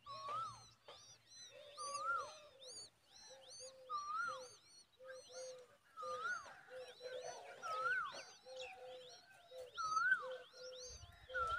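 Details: Common babbler parent feeding a chick a big worm; long run of clear, bright, harmonic chirps, short low notes and higher arched whistles in irregular clusters, quiet background apart from a brief low rumble at the start.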